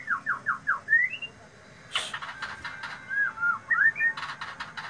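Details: White-rumped shama singing loudly: four quick downslurred whistles, a rising whistle, then a sharp click, and later more looping whistled phrases with a brief burst of rattling notes.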